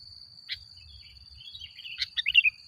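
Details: Sooty-headed bulbul, a lure recording meant to provoke other bulbuls: scattered clicks, then a quick bubbly descending warble near the end, with a constant shrill tone behind.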